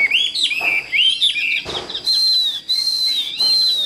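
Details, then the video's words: Tame Chinese hwamei singing loud, clear whistled phrases that slide up and down, then long wavering sustained whistles, broken by brief bursts of broadband noise. "Cho Ae Nghe Hót Nhé"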